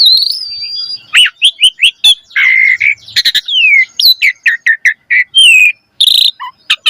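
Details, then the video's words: Javan pied starling singing energetically in full, richly varied song, used as a tutor to prompt young starlings to sing: a long high whistle, then a burst of rapid slurred whistles, chatters and short sharp notes. "Pancingan Jalak Suren Gacor Mompa Masteran Burung Jalak Muda Cepat Bunyi Gacor Full Isian Mewah"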